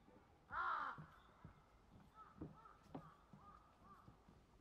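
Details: Black-crowned night heron at a colony by Sanpōji Pond on 28 January 2024: one loud, harsh, croaking squawk with a rasping tone, followed by fainter clicks and distant calls against a quiet outdoor background.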